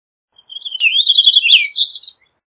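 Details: Purple Finch, Haemorhous purpureus, with a lively warbled song: a soft opening note, then a rapid tumbling run of slurred chirps rising and falling over about two seconds, clean background.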